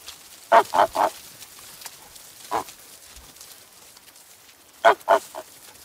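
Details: Goose on a farm uttering brief bursts of two or three harsh honks separated by long silent pauses.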